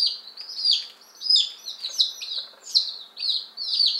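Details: Newly arrived one-day-old chicks, ten Appenzeller Spitzhauben and five White Crested Blue Polish, calling together in May 2015; shrill descending peeps from several birds overlap in a continuous, uneven chorus.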